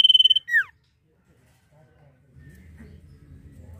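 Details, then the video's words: Common iora giving a brief nyiul phrase: the end of a fast pulsed trill runs straight into a sharply downslurred whistle, followed by near silence and faint low background noise. "CIPOH GACOR FULL NYIUL"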